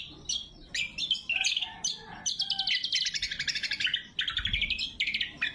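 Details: Lure and training song of a greater green leafbird (cucak kombo), loud and sharp; quick varied chirps and whistles run into rapid scratchy trills and warbling phrases, with almost no pause.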